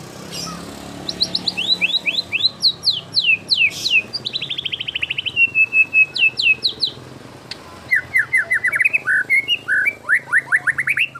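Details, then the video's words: White-rumped shama competition song packed with imitated fill-in notes favoured by judges: a long rapid run of sharp, varied whistled notes, quick rattling trills, then lower slurred upward whistles repeated in fast succession. "Tembakan Murai Batu Isian Sadis Dan Mewah Yang Disukai Juri"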